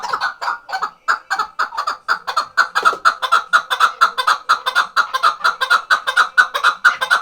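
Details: Tethered hunting chukar partridge from the Khoja Mumin salt mountain, calling in a steady, rapid series of loud clucking chuk notes, about two per second and evenly spaced, with faint rustling underneath.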